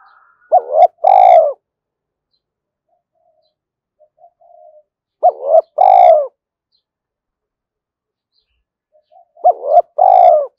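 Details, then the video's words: Spotted dove calling continuously to lure wild doves, the same low cooing phrase of short hoots and a rolling purr repeated about every four to five seconds, three times, with quiet gaps between. "tiếng cu gáy thúc hay rút bổi, gáy gọi liên tục dục chim bổi về nhanh"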